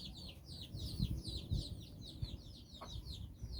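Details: Chicken chicks, nine of them, out walking with their mother hen in Bizkaia, Basque Country, exploring and playing; dense high, thin, downslurred peeps overlap continuously, with soft low scuffling and thumps underneath.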